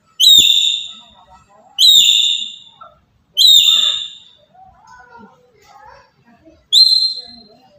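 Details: Four clear, high, ringing calls from a black-capped lory from Papua, loud calls used to provoke other birds; each is a bright steady tone with a quick falling start, separated by quiet gaps with faint chatter.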